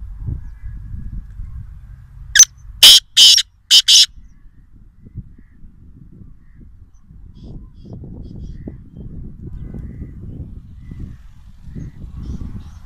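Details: Black francolin from Nawabshah, Pakistan, uttering one harsh phrase of four rapid, scratchy high-pitched chirping notes, followed by about eight seconds of low rumbling background noise.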